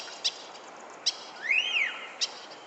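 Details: Bird living in a San Francisco back yard, heard at sunset on 31 July 2014, gives a few isolated sharp clicks around one smooth arched whistle that rises, then falls.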